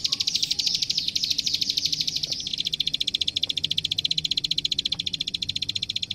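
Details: Training master recording of a klik klik prinia: a high, buzzy, rapid trill for about two seconds, then a slightly lower, steady, machine-gun series of crisp clicks that runs on evenly to the end, over a faint low hum.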